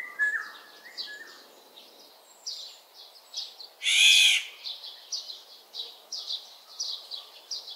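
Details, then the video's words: Black-naped oriole gives one loud, harsh, nasal cry lasting about half a second, with a few brief whistled notes before it and steady high chirping from other birds throughout. "꾀꼬리 소리 8가지 다양한 꾀꼬리 울음소리 꾀꼬리 새소리 Oriole sounds 꾀꼬리 우는 소리"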